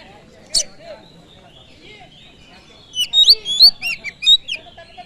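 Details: Oriental magpie-robin song meant to provoke other birds: after a quiet stretch with a single sharp click, a two-second string of loud whistled notes jumping up and down in pitch.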